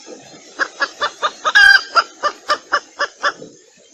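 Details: Red junglefowl hen calling for males in a decoy recording for catching junglefowl: evenly spaced soft clucks about four per second over a hissing background, with one longer, clearer note in the middle.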